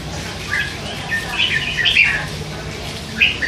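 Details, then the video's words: Three-month-old hand-raised red-whiskered bulbul, caged, that chatters all day; a few short whistled warbling phrases rise and fall, with a brief burst near the end over a low background hum. "นกกรงหัวจุก ลูกป้อน 3 เดือน ปากเบาสุดๆ"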